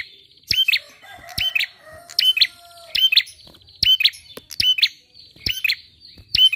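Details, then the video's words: Lure recording of a lively bar-winged prinia: quick pairs of high, bright chirps with a buzzy edge, repeated at uneven intervals of under a second, plus scattered clicks. "PANCINGAN PRENJAK KLAWU GACOR!"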